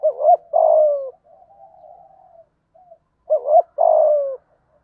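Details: Spotted dove giving the rousing 'thúc gù' coo in a 'giọng thổ' voice, meant to quickly stir other doves: two loud phrases three seconds apart, each a wavering double note then a long falling coo, with soft cooing between.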